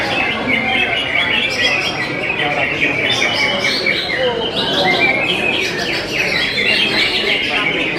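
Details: Greater green leafbirds competing at a bird singing contest in jamtrok style. Dense, overlapping bright chirps and warbled phrases come from several birds at once, with crowd chatter and voices underneath throughout.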